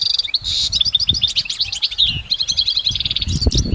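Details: Goldfinch song outdoors: an opening buzzy burst, then fast rhythmic chirp series and liquid twitters running without break, light low-frequency background rumble.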